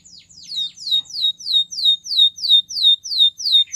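A Russian canary sings a fast, even tour of high, clear down-slurred notes, about three per second, each dropping sharply in pitch. No other sounds are heard.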